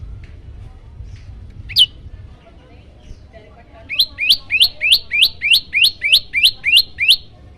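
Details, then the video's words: Yellow-bellied prinia master recording meant to provoke other birds: an early single chirp, a quiet gap, then a rapid even train of eleven high, upswept notes. "masteran burung prenjak lumut bikin emosi burung yang dengar"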